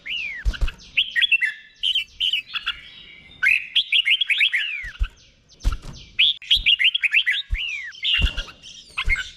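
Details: Caged red-whiskered bulbul in Thailand performing the doubled 'beon' song style, slow and distinct, for birds to learn. Series of bright, arching whistled notes in quick runs, repeated in three groups, with occasional low clicks.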